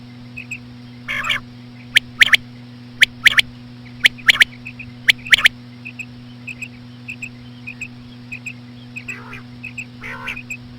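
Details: Female common quail calls, known locally as batair, played slowly to lure quail. Rasping harmonic notes are followed by sharp, high triple clicks, heard roughly once a second, with soft chirps in between and a steady low hum underneath.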